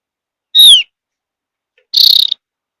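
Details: One bright whistle gliding from high to lower pitch, followed after a pause by a harsh buzzy chatter, from a Javan grey-throated white-eye of high mountain forest, its whistling said to prompt other birds to sing along.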